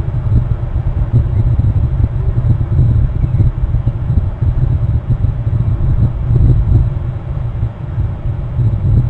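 Steady low rumble like a passing vehicle or wind, concentrated in the deep bass, with no animal calls heard.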